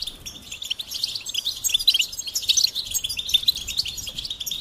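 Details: Goldfinch song of bright, fast-tumbling chirps and clear whistled notes rising in intensity toward the middle.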